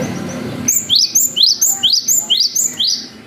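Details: Long 'wucit' song of a lively cinereous tit, meant to stir up the emotion and breeding drive of young birds: about eight ringing, high whistled notes, each sweeping upward, repeated evenly over three seconds.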